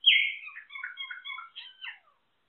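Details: Solitary cacique delivering a warbled, jumbled phrase of high whistled notes after a strong opening note, fluttering between pitches for about two seconds before trailing off.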